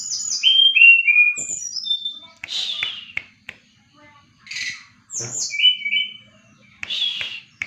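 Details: Brown-chested jungle flycatcher in full song, used as a master bird for training others: clear high whistled notes that slide downward in steps, then buzzy bursts and further sweeping whistles separated by short pauses.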